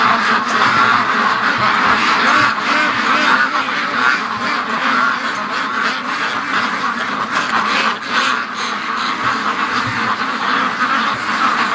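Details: Free-range domestic ducks, a flock agitated one morning after a dead male duck was found at the gate, quacking loudly together. Harsh, overlapping calls repeat irregularly, roughly seventy per minute, in a dense, continuous chorus.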